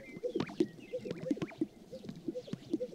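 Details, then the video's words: Several male sage grouse displaying on a prairie lek in spring around sunrise: overlapping low, hollow popping plops, soft swishing of white feathers rubbing, and faint higher bird calls in the background. "Sage Grouse Lek Dancing"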